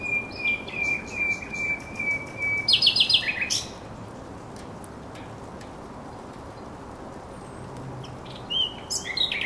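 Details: At the Żerański Canal on 24 April 2022 a thrush nightingale gives a long level whistle, then a loud, harsh, rattling burst of rapid notes. Quiet follows before further short chirps, with a constant low hum behind.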